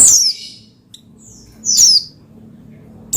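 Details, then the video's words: Pleci (Oriental white-eye) sounds meant to prompt another bird to sing: two or three isolated, very high, thin downward chirps separated by a second of near silence. "Menaikan Emosi Burung Pleci Bahan Agar Pleci Gacor Cepat Bunyi Rajin Gacor"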